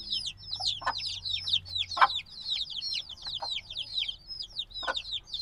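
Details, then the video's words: Somewhat quieter chorus of newly hatched black chicks: thin, high, falling cheeps overlapping steadily, a few soft knocks, and a low background hum. "Baby Chicks Sounds - Baby Chicken Chirping Noises"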